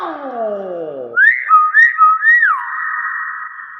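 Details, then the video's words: Common hill myna answering after a man's speech: short clear whistles that rise and fall, then one long steady held whistled tone. "BURUNG BEO SUARA ASLI VIRAL"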